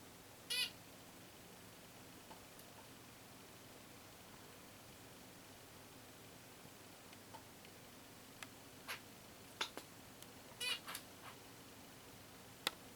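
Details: A female zebra finch gives a few scattered, nasal, buzzy calls in a quiet room; the owner describes it as her "let's make a nest here" sound.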